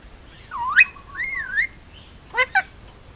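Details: Indian ringneck parakeet, a hand-fed male nearly two years old kept on Oahu, Hawaii, makes a swooping whistle, a wavy rising tone, then two short harsh chirps close together.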